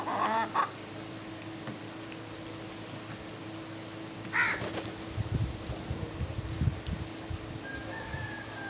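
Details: A crow calls in the morning: a brief hoarse note at the start and a louder harsh caw midway, over low background rumble and a thin whistle near the end.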